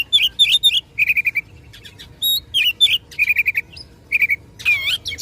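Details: Rival-provoking fight song from an Oriental magpie-robin, mixing bright whistled slurs, runs of quick repeated chips and a harsh wavering buzz near the end.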